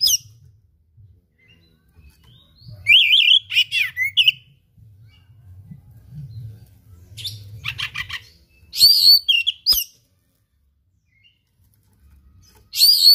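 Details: Oriental magpie-robin (kacer) singing 'gacor' with rare learned material: scattered bursts of buzzy chatter and high whistled notes, long silences between, faint low humming noise throughout.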